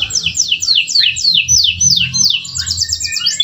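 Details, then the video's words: Home-bred male canary delivering a master song for training birds: a series of quick, steeply descending sweeps repeated several times a second, ending in faster chattering rolls, with soft low-pitched background noise throughout. "KENARI GACOR DURASI PANJANG ‼️MASTERAN AMPUH"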